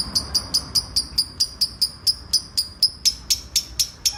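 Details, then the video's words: Lovebird singing in the ngekek style: sharp, high chirps repeated about twice a second in a steady chattering run, each note bright and clipped, with faint low background hum. "Love Bird ngekek 2 menit"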